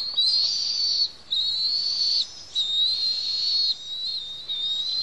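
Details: Noisy food-begging from two Bald Eagle eaglets being fed by a parent at their Pelican Harbor nest on Santa Cruz Island: long, high, steady whistles, each about a second, separated by short pauses.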